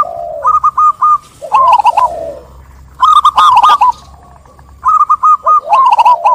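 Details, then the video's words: Local zebra dove in full song, calling to prompt other birds to join in: bursts of rapid, bubbly rolling coos followed by lower drawn-out purring notes, repeated in phrases about every one and a half seconds, with sharp clicking sounds. "Perkutut Lokal Gacor | SUARA JERNIH Mengajak Yang Lain Ikut Bunyi"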